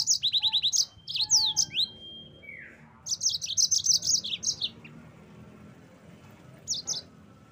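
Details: Yellow-fronted canary singing, a recording meant for training kept songbirds: rapid repeated high chips, a long flat whistle and a falling slur, a pause, then another burst of quick twittering notes and a short final phrase.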